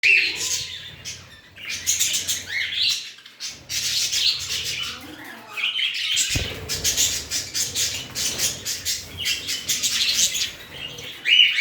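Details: Budgerigars in a colony breeding setup chatter steadily in bright, scratchy chirps and warbles with no pauses.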